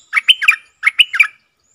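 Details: Decoy Streak-eared bulbul, caged and calling to attract wild birds, 3 June 2021: two quick bubbling phrases of three or four chirpy, slurred notes each, separated by a brief gap.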